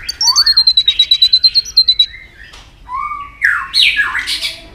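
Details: White-rumped shama in provoked fighting song with varied voice: a fast high rattling trill of about fifteen notes, then swooping whistles and a harsh rising squeal.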